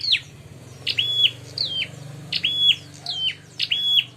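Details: Bar-winged prinia baiting call to provoke fighting: high, sharp chirps dropping quickly and ending in short flat notes, repeated about five times, fairly faint over a steady low rumble.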